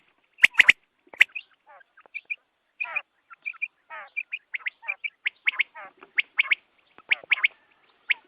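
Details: Quail calling at dawn, a recording used for hunting: short bright notes repeated in quick pairs and triplets, mixed with brief descending raspy trills and a few sharp clicks, against an otherwise quiet background.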